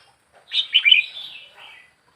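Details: One brief bubbly phrase from a young wild red-whiskered bulbul after four weeks in captivity: three fast chirping notes run into a fading warble.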